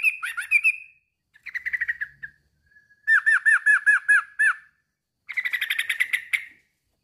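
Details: Sooty-headed bulbul male calling out to a rival, giving separate bursts of bubbly chatter. One fast string of clipped, down-curving notes stands out between softer, blurrier phrases, with brief silences between them.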